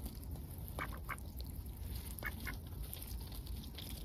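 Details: Close-range ducks on a heavily overcast day, active in their usual routine, give paired short nasal quacks, one pair near the first second and another past two seconds, against a deep continuous rumble.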